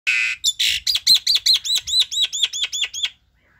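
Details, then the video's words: Myna calling to its flock, recorded at home: a quick series of about thirteen harsh, rasping notes that repeat steadily and then stop, with no other clear sounds. "TIẾNG CHIM SÁO KÊU GỌI BẦY"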